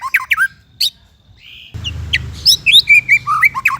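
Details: White-rumped shama tutoring song for young or mute captive birds: short rich whistled phrases, a brief pause and a steady buzzy note, then a cut to rapid varied chirps and whistles over a low hum.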